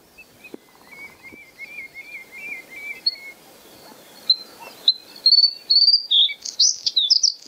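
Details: Song of a white-spotted bluethroat at Kølsen-Skals Engsø in April 2020: a quiet series of short even notes, then rising chips accelerating into a loud, high, varied metallic rattle of squeaky phrases, with light background noise.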